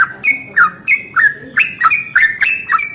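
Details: Yellow-vented bulbul giving its long rolling morning song to draw other bulbuls into singing: fast, bubbly notes about three per second, each a bright chirp falling into a lower slur.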